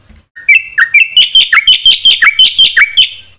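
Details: Black-winged myna in full varied song, used to stir other mynas to sing: a fast string of bright, slurred chirps, nearly three each second, rising and dipping in pitch.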